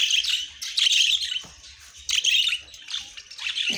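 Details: Several budgerigar pets give busy chattering chirps, high scratchy warbled phrases rising and falling in loud bursts about every second, with softer twittering in between.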